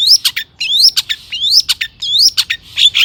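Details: Long-tailed shrike (cendet) singing as a lure for other shrikes: repeated rising whistled slurs, each followed by harsh downward chips, about once every half second.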